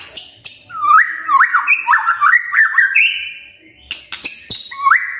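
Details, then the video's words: Magpie-robin song meant to provoke birds into song: rising whistled slurs and zigzag notes in a lively phrase, a short lull, then sharp high chirps and another rising whistle. "Pancingan Murai Gacor"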